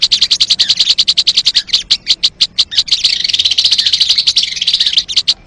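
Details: Sogon bird used to lure birds, a run of regular rapid clicking notes giving way to a softer, busy warbling chatter, ending in more clipped ticks.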